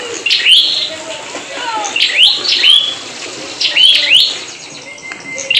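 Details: Prinia, a newly bought bird from a bulk lot of wild-caught birds, singing loudly: sharp upward-sweeping whistled notes in bursts about every one and a half seconds, over hissy background noise and faint music.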